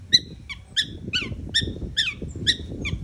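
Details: Long-tailed shrike repeating a harsh, downslurred two-part note about every third of a second, eight times, over a steady low rumble.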